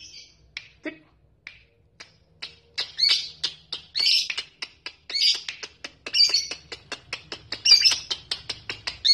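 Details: Lovebird singing to provoke rivals into ngekek: scattered sharp high chirps at first, then quickening into repeated bursts of harsh, buzzy chatter separated by short clicky notes, growing louder toward the end.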